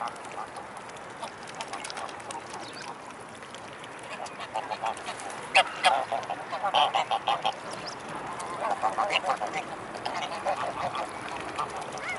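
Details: A large flock of mute swans at the Blaues Wunder on 25 May 2016, mid-afternoon. After a quieter stretch come rapid bursts of short, nasal honking notes that overlap as several birds call. Soft background murmur throughout.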